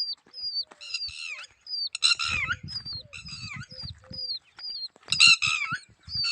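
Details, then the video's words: Red-wattled lapwing, shown with its eggs, giving loud, harsh, ringing calls in quick bursts of strained notes, with thin high whistles between them and low thumping handling noise underneath. "bird sound Red wattled"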